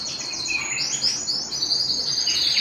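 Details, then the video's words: Canary singing at home, a continuous high warbling run of bright chirps and trills with sweeping notes, steady throughout. "canary singing at home"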